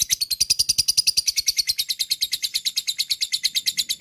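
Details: Lovebird in long ngekek song, a fast continuous chatter of sharp high chirps running without pause, slightly weakening toward the end, with faint low knocks beneath.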